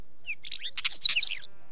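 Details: Wheatear heard close up in a rapid jumble of dry crackles, buzzy chatter and short whistled slurs, all packed into under a second and a half against a quiet background.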